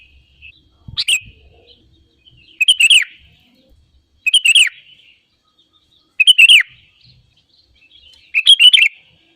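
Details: Sooty-headed bulbul giving clean, bubbly whistled phrases, five in all, roughly every two seconds, in a quiet setting, played to prompt other birds to sing.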